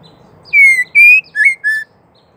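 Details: A female white-rumped shama, whose calls are used to provoke males into singing, gives four clear, ringing whistled notes in under two seconds: the first two long and slightly falling, the last two shorter and rising.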